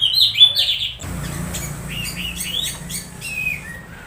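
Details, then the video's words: Orange-headed thrush giving strange excited sounds meant to lure others into singing; a loud burst of shrill whistled notes opens, then a softer run of short rising and falling chirps follows over a faint background hum. "Suara suara aneh anis merah saat di cas ampuh pancing anis merah bunyi"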